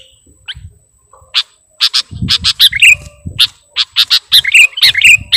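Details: Sooty-headed bulbul call played as a bird-catching lure: a few scattered notes, then loud clipped chirps and twisted slurred notes in irregular bursts, with faint low rustling beneath.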